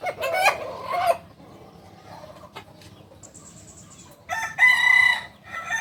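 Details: Male Kukuak Balenggek chicken, a native breed of Solok, West Sumatra, prized for its tiered crowing; a rough harmonic crow ends after one second, a long lull with faint noises follows, then a second crow breaks into several short stepped bursts.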